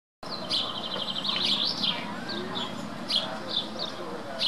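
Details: House sparrow (Passer domesticus) on a lakeside promenade at Starnberg, Germany, giving bright, repeated chirps, a quick run of cheeps followed by scattered single notes, over a steady background murmur.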